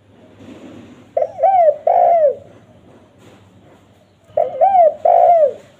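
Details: Spotted dove (tekukur), a call prized by trappers for luring wild doves: two loud cooing phrases, each a short rising coo then a longer wavering coo falling at the end, about three seconds apart, in a quiet background.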